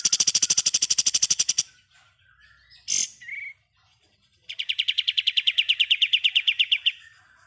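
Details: Pied triller singing ngebren, a training recording for songbirds: a quick, loud high trill, a short sharp note with a small slurred whistle, then a long, even run of buzzy trilled notes fading at the end.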